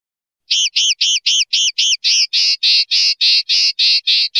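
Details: A common linnet sings a fast trill: seven hooked, clipped notes followed by a run of broader buzzy notes, roughly three and a half per second.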